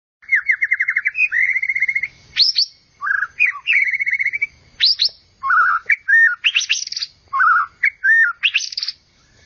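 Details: White-rumped shama, named a competition-winning bird from Medan and Java, singing a varied song: a fast trill of repeated whistled notes, then loud rising whistles, short slurred phrases and sharp sweeps, each burst separated by brief pauses.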